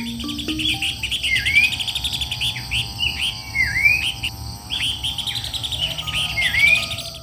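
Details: Horsfield's babbler in Indonesia, once common and heard mornings and evenings from bushes behind houses and gardens, now rare in the wild, giving loud repeated whistled phrases with sharp rising upslurs every second or two over insect-like hum.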